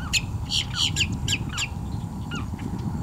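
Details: Boat-tailed Grackle calling in morning light near a perched female Belted Kingfisher; a burst of sharp, squeaky, rising chirps and whistled notes in quick succession, then sparser notes, over loud low rumbling background noise.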